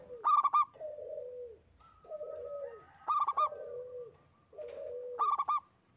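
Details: A single local zebra dove sings in active form: rapid bursts of three or four crisp, hollow coos about every two seconds, alternating with lower, drawn-out descending coos.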